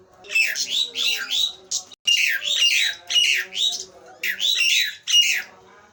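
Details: Nias hill myna delivering repeated loud, raspy squawks in clustered bursts of three or four notes, each group separated by a short silence.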